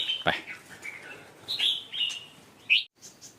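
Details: A young male Stripe-throated Bulbul, drawn in behind a house in Thailand by a caged decoy bird, calls briefly: a few short, bright chirps and slurred whistles, scattered unevenly over about three seconds, against faint background noise.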